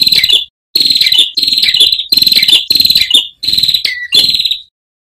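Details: Song of an Ashy tailorbird, recorded to train cage birds, with running water: a fast series of harsh, buzzy, high-pitched trills, six bursts almost back to back with brief gaps.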